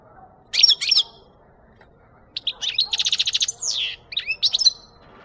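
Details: Goldfinch singing on a capture lure recording: loud, bright twittering phrases with a quick run of evenly repeated notes and downslurred whistles, in otherwise quiet surroundings.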